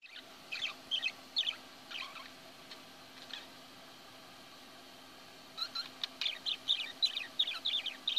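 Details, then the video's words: Caged bird singing: bursts of high, chirpy, twittering notes in quick runs, a sparse phrase early on, then a pause of about two seconds, then a denser, faster stretch of song. A faint steady low hum sits beneath. "singing in the vision bird cage"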